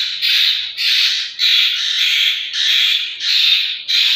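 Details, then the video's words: Young Asian koels from Pakistan giving loud, hoarse, drawn-out squawking calls, about six in four seconds, each a rough noisy screech with brief gaps between, nothing else audible. "کوئل کے بچے"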